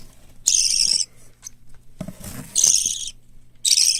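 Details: Parakeet chicks (white lovebird, cockatiel and budgerigar) kept at a hand-tame bird shop in Fukuoka, growing well. Three harsh, hissing rasps come in separate bursts, with soft low rustling and thumps between them.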